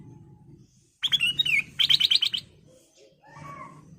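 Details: Golden-fronted leafbird lure song for training caged birds, a whistled descending phrase then a rapid run of about seven sharp repeated chirps, followed by softer lower warbling notes over a faint hum.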